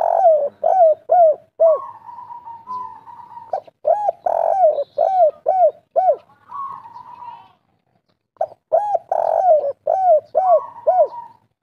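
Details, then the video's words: Spirited 'kuk 3' song of a local spotted dove (derkuku or tekukur). Rapid sets of three or four arched coos repeat, separated by long level drawling notes. A brief silence comes near the end. "derkuku kuk3 lokal gacor ngamuk"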